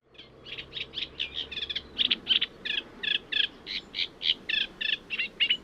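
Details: Eurasian reed warbler singing a steady, chattering run of short grating notes, about three per second, each repeated before shifting, over a faint low hum at first; quieter, lower pitched and less imitative than sedge warbler song.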